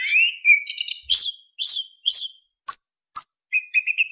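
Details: Narcissus flycatcher song for training other songbirds: a rising whistle, then three loud, harsh, buzzy notes about half a second apart, two sharp high whistles and a soft warbled ending.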